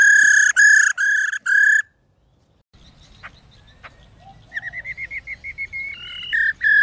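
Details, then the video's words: A female white-browed laughingthrush gives four harsh, ringing bursts, then a quick run of rising chirps repeated several times a second, ending in loud harsh notes. "Tiếng KHƯỚU MÁI RO QUÁ HAY Kích Trống Hót Căng"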